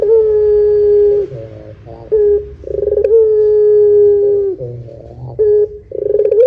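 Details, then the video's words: Barbary dove calling in the long pelung manner, played as a lure for other doves: two long, even, low coos separated by burring, rattly rolled notes, with a faint low hum underneath. "SUARA PUTER PELUNG PANJANG JOSS . PANCINGAN SUARA PUTER GACOR DORRR JERNIH"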